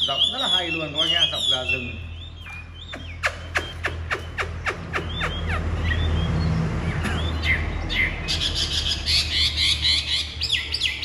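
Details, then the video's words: Caged Chinese hwamei from Vietnam, a big bird of the ngũ trường type with pure white wing feathers: rapid varied whistled phrases open and close the passage, with a run of sharp clicking or tapping sounds and low background rumble in between. "Ngũ trường bộ to, giọng cực hay, lông cánh trắng tinh | Họat Họa Mi"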